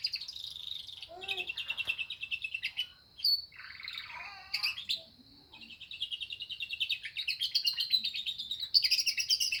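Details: Canary in full song with phrases borrowed from lovebirds: long, fast, trilling high rolls and chattering runs, with a brief harsher interlude mid-way before the rapid trills resume.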